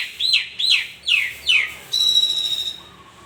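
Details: Asian pied starling's morning song: four falling whistled notes about half a second apart, then a long steady high note and a soft low whistle.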